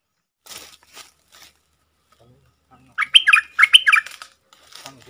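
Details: Wild red-whiskered bulbul, a very bold bird, singing at a caged decoy before leaving, dated 5-6-64: after quiet faint chirps, a loud burst of short rich whistled notes lasting about one second.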